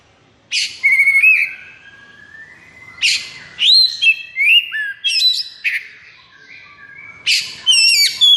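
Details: Singing white-rumped shama, a captive bird in high breeding condition, giving sharp attack notes followed by long sliding whistles and rising trills, phrases spaced about two seconds apart with quiet gaps between them.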